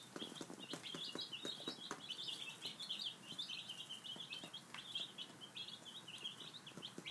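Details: Five-day-old baby chicks at breakfast produce a continuous overlapping chorus of shrill, brief peeps, accompanied by frequent pecking taps.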